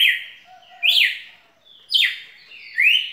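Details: A red-cowled cardinal sings spirited whistled phrases: a long sliding note, then a rising upslur, a sharp falling note and another rising whistle, spaced about a second apart.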